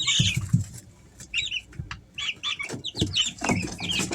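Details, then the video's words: Three-week-old Easter Egger chicks peeping at home; quick high chirps come in clusters, growing busier in the second half, with low knocks and shuffling sounds beneath. "Sounds of baby chicks"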